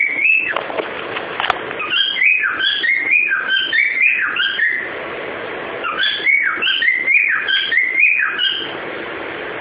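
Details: Pet cockatiel singing the tune "Ô bate o pé" indoors: a run of clear whistled notes stepping up and down, quick slurred phrases repeated several times a second, with a short pause midway before the melody resumes.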